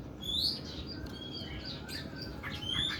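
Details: Fainter oriental magpie-robin song in a long, rough style, with rising thin whistles at the start and end and soft scratchy notes between.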